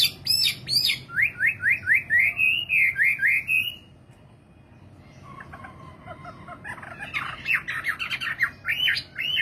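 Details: Nightingale song with a fast series of rising whistled notes building into a rolling trill, a pause of near silence, then a renewed burst of sharp chattering phrases.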